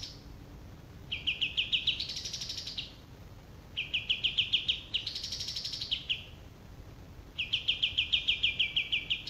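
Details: Male olive-winged bulbul repeating its song: three bursts of rapid, chattering high notes, each swelling upward into a higher arched trill before dropping back.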